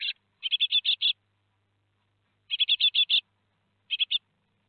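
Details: Four Great tit fledglings leaving the nest at Théding, France, on 17 July 2020: clustered harsh, buzzy chirps in bursts of four to seven notes, separated by short pauses.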